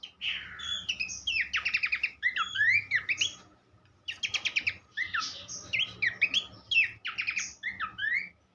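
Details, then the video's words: Horsfield's babbler, recorded as a teaching song for other songbirds, pours out bursts of rattling trills and twisting whistles, with clear silent gaps near four and seven seconds. "vokal mewah sang guru masteran khas pelanduk semak"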